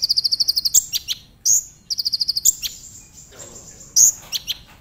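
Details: Brown-throated sunbird, called konin locally, singing a lure song to spur other sunbirds into song: fast, evenly spaced high pulsed trills broken by sharp upslurred notes, repeated in two phrases over low background hum.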